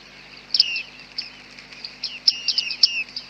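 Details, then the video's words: Bearded reedlings calling in thick fog, recorded with a Panasonic G9 and 100-400 lens: quick bursts of bright, metallic pings, each sliding down, given in clustered twos and threes. "bearded tits"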